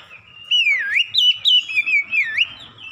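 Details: Loud 'ngeplong gacor' song of an Oriental magpie-robin for home training of caged birds: strong whistled phrases that dip and rise in pitch, repeated in rapid pulses of about four notes per second.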